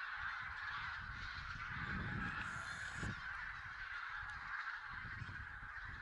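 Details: Goose flock during a mid-November 2016 count in Silesia, possibly Barnacle, White-fronted, Greylag and Bean Geese together; distant massed honking forms a continuous murmur over low rumbling wind noise.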